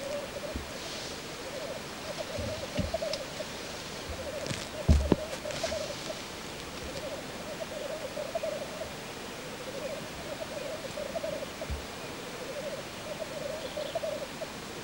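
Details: Black grouse cock at its courtship lek, a long, steady, low bubbling rookoo rising and falling in waves throughout, broken by a few clicks and knocks in the middle.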